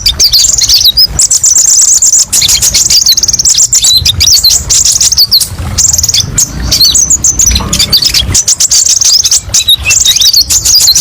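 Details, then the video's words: Kolibri ninja sunbird song used for bird-keeping therapy and tutoring, with many 'pedes' shot variations: rapid high chirping trills and twittering notes running almost without pause, with brief gaps near two and eight seconds. "TERAPI BURUNG KOLIBRI NINJA: BANYAK VARIASI TEMBAKAN PEDES & MASTERAN KONIN PALING DICARI"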